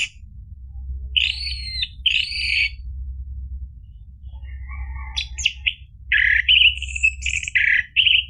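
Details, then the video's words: Orange-headed thrush song for prompting a silent bird to sing: two buzzy chattering phrases, a pause with soft notes, then a loud stretch of warbled whistles and harsh buzzy notes. "PANCINGAN ANIS MERAH biar bunyi NYAUT JADI GACOR NGEPLONG ampuh buat terapi macet bunyi"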